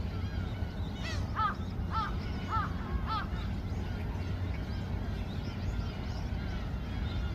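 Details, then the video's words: Gulls calling as a group at Yeouido pier, Seoul; a run of four or five short, nasal, falling cries about half a second apart over a steady low rumble of engine or water noise. "갈매기들의 합창"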